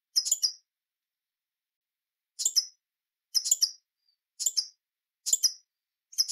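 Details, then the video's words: Hummingbird uttering short, rapid, high twittering bursts of several crackly notes. The bursts repeat after a long pause and then about every 0.9 seconds, with no other sounds. "Sonidos de Colibries - COLECCION SONIDOS DE COLIBRIES - Hummingbirds Sounds"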